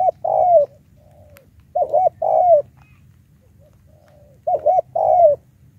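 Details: Spotted dove used as a high lure bird in a challenge with wild doves, calling three times at intervals of over two seconds, each phrase a twin hoot then a longer sliding coo, in quiet surroundings.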